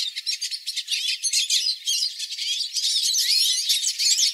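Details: Live recording of a hooded siskin flock in song. The clip opens with short, pulsing chirp bursts, then swells into a continuous jumble of rising and falling twittered phrases from overlapping birds.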